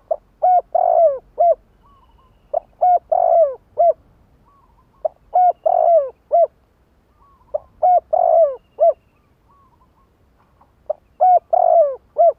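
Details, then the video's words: Spotted dove kept as a decoy, cooing to provoke wild doves. Five repeated phrases of low, hollow notes built around a long, slurred middle coo follow each other at regular intervals against a quiet background. "Tiếng cu gáy mồi gáy gọi kích bổi"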